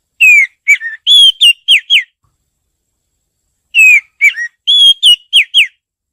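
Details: Oriental magpie-robin (Copsychus saularis), call: female calling to attract the male.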